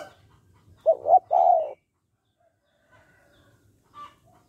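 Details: Spotted dove calling in the 'hạp bổi' voice, used to stir males to call fast: one phrase of two clipped coos and a longer downward coo, then near silence with a faint later note.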